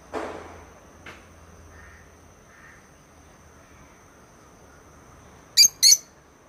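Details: A pet peach lutino lovebird gives two shrill, high, squawky chirps in quick succession near the end after a mostly quiet stretch, with a faint steady high whine throughout.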